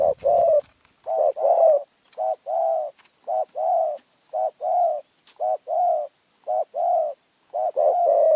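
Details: Spotted dove from Phrae, Thailand, singing a steady series of low, hollow coo phrases. Each phrase is a quick double note followed by a longer coo, repeated about every 0.7 seconds over a quiet background.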